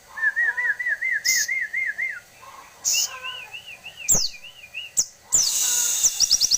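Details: Grey-cheeked tit-babbler singing wavering, trilled whistles in repeated phrases, first lower and then higher, broken by sharp clicks and ending in a loud, high, rapid run of notes.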